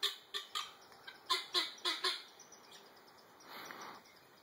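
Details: Guineafowl chattering loudly while being approached and teased: a rapid series of harsh, rasping notes, several every second.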